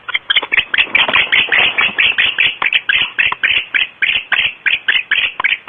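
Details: Barn owls in the nest at Starr Ranch at 5:45 am, before dawn: steady series of loud, raspy clicking pulses, around three per second, harsh and rhythmic.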